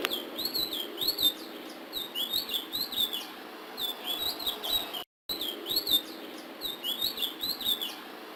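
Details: Ledekan laut giving sulingan biru style song: bursts of quick, high, wavering whistled phrases repeated about every second or two, broken by a brief silent cut, over constant low hiss.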